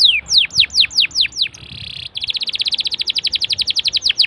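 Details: Canary song for prompting other canaries to sing: six loud descending whistles, a short buzzy tone, then a long fast trill of repeated clipped notes.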